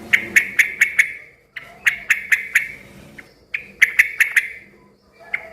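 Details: Yellow-vented bulbul singing noisily in three bursts of four or five sharp, bright notes each, separated by short pauses, with a low background hum; such singing is said to prompt other bulbuls to answer.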